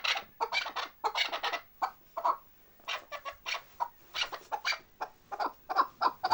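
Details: Chukar partridges of Bartang, Pamir, give harsh, broadband clucking bursts in irregular clusters, with several chattering notes run together and pauses between groups.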